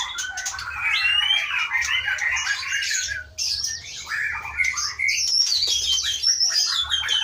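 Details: Captive White-rumped shama from Aceh, wild-caught in 2012 in the Leuser mountain forest of Pining, pouring out a long, continuous medley of fluty whistles, rising and falling slurs and harsh squawky notes over a faint low droning hum.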